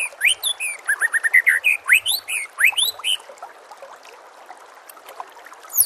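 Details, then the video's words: Shama master song for getting kept birds to reply: a rapid run of rising whistles and high chirps for about three seconds, then quieter scattered notes and a final sharp call. "SEKETIKA PASTI NYAUT dan GACOR bila murai batu anda dengar suara MASTERAN burung seperti ini"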